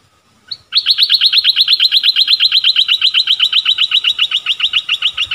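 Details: Streak-eared bulbul delivering a loud, steady trill-like series of rapid chirps, about four per second, that runs unbroken for almost five seconds.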